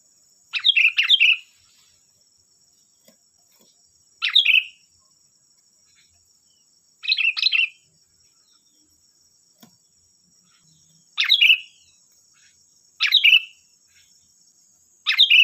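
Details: Sooty-headed bulbul lure song to get other bulbuls to respond: six short, cheerful bubbling phrases delivered at irregular intervals of two to three seconds, each a quick warbled burst, with a continuous high-pitched background drone.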